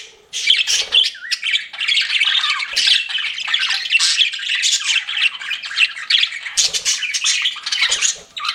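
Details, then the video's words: Pet budgerigars chirping as they flirt: a long, unbroken run of rapid scratchy warbles and sharp chirps from several birds, with occasional soft knocks. "CUTE PET BUDGIES CHIRPING"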